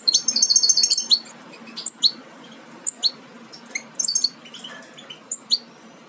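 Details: Near-fledged European goldfinch chicks from a Major aminet carrier by Parva Ancestral pairing: a brief burst of rapid high twittering, then spaced single sharp tweets and short clusters of chirps.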